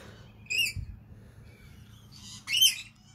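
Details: Cockatoos feeding on seed on a balcony: two short harsh screeching calls about two seconds apart, broad and raspy, over a low steady background hum.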